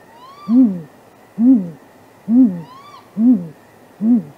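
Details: Great grey owls courting off camera near a nest at midnight, 23 April 2019, possibly mating: five deep, soft hoots spaced about one second apart, joined twice by a thin, higher whistled note that rises and then falls.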